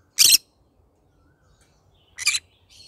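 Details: Pet green-cheeked conure of the yellow-sided form, morning singing: two harsh, raspy screeches about two seconds apart, each roughly a fifth of a second, with a faint softer note at the end.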